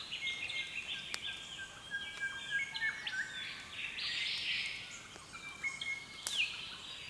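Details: Australian east-coast birds in the early morning, a dense overlapping chorus of whistles, trills and chirps with some sharp clicks, blended into a constant background hiss.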